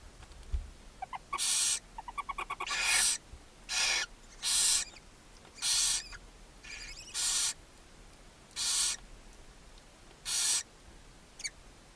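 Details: A barn owl mother feeds seven owlets in a chimney-side nest box in Ságvár, Hungary, in May 2024. A quick ticking, chittering run opens, then loud rasping hisses repeat roughly every second over light background noise.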